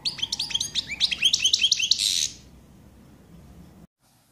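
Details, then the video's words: Common chaffinch singing: a fast two-second run of about a dozen sharp, downward-slurred notes accelerating into a dense buzzy flourish at the end, followed by near silence with faint low background rumble. "Fringilla coelebs(Passeri)Good coelebs song"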